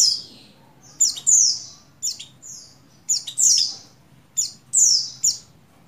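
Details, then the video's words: Oriental white-eye female in breeding condition calling for a male, to spur buxtoni males into song, dated 7/3/21: paired high, sliding chirps, a sharp note then a longer falling one, repeating about every second. "Call Burung Pleci Betina Birahi Memanggil Jantan"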